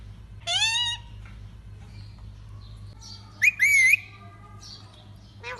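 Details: Pet lutino yellow Indian ringneck parakeet giving two loud, harsh, ringing screeches about three seconds apart, the second with a wavering pitch, then the start of a third, over faint indoor hum.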